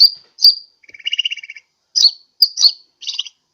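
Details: Sunbird call used as a lure to attract birds, from Sukabumi's Pajampangan area: sharp high chips separated by a short buzzy rattle and a final dry burst.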